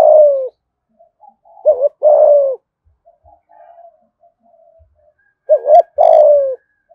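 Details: Spotted dove from Đồng Nai, Vietnam, giving the fast 'thúc gù' coo in the 'giọng thổ' style: short wavering coos then a long, low, slightly falling coo, in bursts separated by quiet gaps with faint softer notes.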